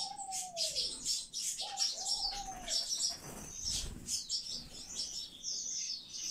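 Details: Rescued common chaffinch nestlings give begging calls: rapid, high, thin chirps in dense overlapping bursts, with a few lower falling whistles near the start.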